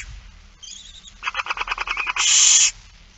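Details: At a barn owl feeding in Friesland, Netherlands, 8 September 2019, a rapid series of short chittering clicks builds into a loud hissing begging screech lasting about half a second.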